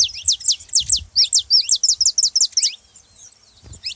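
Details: Loud, fast saffron finch phrase of crisp descending chirps, about three per second for two and a half seconds, then a pause and a final note; used to get a cold canary singing. Faint low thumps.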